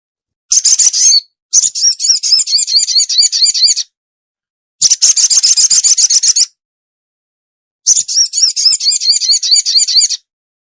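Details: Trapping lure call of a ruby-cheeked sunbird, delivered as four bursts of fast, thin, high-pitched trills, each one to two and a half seconds long, with clean silent gaps between them.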